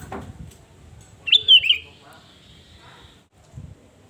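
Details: Sooty-headed bulbul singing to lure and provoke rivals, one brisk liquid whistled phrase with a rolling, dropping finish, framed by soft low thumps.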